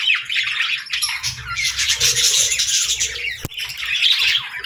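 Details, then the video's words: Chorus of budgerigars singing, with rapid chattering warbles and squawks layered over one another, plus one sharp click partway through. "Budgies Singing 🎶 | Birds Chirping Sounds💕🦜"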